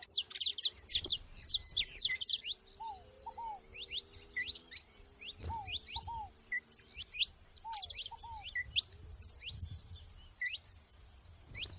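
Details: Saffron finches out in nature together: repeated clusters of thin, high, rapid chirps about twice a second, with a low double whistle of another bird recurring and faint rustling below.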